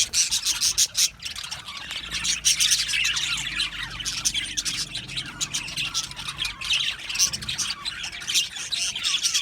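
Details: Many budgies chattering together in an aviary: rapid, overlapping high twitters and chirps forming an unbroken warbling wash.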